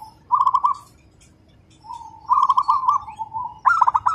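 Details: Local zebra dove, a competition prospect, in fast, tightly packed song compared to a sewing machine: quick bubbly trilled coo phrases, one long drawn-out rolling phrase, then a sharper burst, over faint low background hum.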